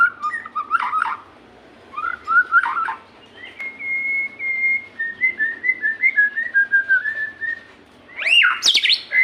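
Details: White-rumped shama song meant to coax captive shamas into singing: chattering phrases, then a run of sustained whistled notes stepping gently up and down, finishing with harsh, high, sweeping calls.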